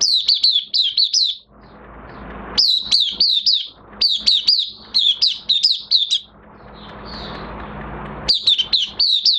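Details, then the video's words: An Oriental white-eye in minor moult, recorded 3 June 2022, gives its opening song: rapid bursts of high, thin, sweeping chirps, several notes a second, broken by brief pauses, with a soft background hiss. "Mata Puteh Kitaro V1 buka sing"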